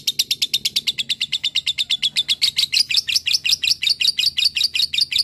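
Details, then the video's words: Prolific fighter lovebird delivering a long 'ngekek panjang' chatter to draw an answer from other lovebirds: rapid, regular high notes running without a break, the pitch climbing a little midway, over a faint low hum. "masteran pancingan suara LOVEBIRD ini. LOVEBIRD mu akan segera nyaut dan ngekek panjang"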